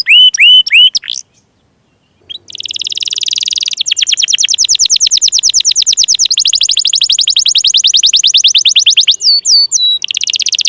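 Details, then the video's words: Domestic canary singing to draw other canaries into song: a few looping whistles, a short pause, then a long dense buzzing trill that shifts into faster repeated notes and ends in swooping phrases. "SUARA PANCINGAN KENARI MACET,, MALAS BUNYI DAN KENARI PAUD"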